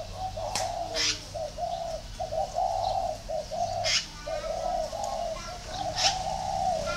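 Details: Low, steady cooing from a spotted dove at a Ba Vi dove garden in northern Vietnam. Rounded notes come in a near-continuous string, broken by a few bright high chirps of other birds.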